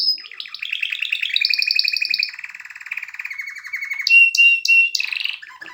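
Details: Canary song mixing rolling trills and sliding whistles, shifting pitch several times, followed by a few loud clipped high notes repeated at the end.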